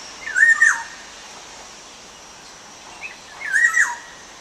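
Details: Two whistled calls about three seconds apart, each a brief clear note bending downward at the end with a thin high buzz above, set against constant soft hiss in the background.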